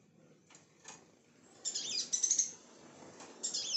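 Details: A sunbird at a home gives thin, very high chirps and sibilant twittering in quick bursts, with a fuller run of high notes in the middle.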